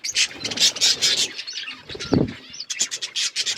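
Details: Colourful budgerigars give loud, high chirping bursts and quick twitters, broken briefly by a dull thump before the chatter resumes.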